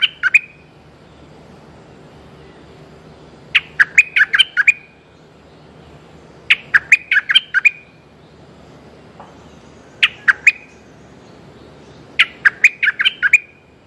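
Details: Streak-eared bulbul calling to a mate: short phrases of rapid alternating chirps repeated every two to three seconds over about fourteen seconds, against quiet background.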